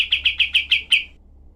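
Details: Cream-vented bulbul, a tutor recording of rough, dense, sharp shooting bursts for training other songbirds: seven quick, harsh chattering notes in a rapid volley over about one second, then silence.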